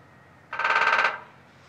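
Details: A male Downy Woodpecker in Woods Hole, Massachusetts, May 2013, drums on a metal gutter for attention: a single rapid, even roll of about half a second, a bright, ringing rattle over quiet background.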